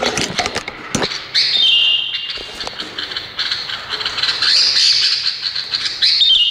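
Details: Indonesian bulbul song in a busy setting: high whistled notes held and warbled over a dense layer of rapid chirps and clicks, with a few low thuds near the start.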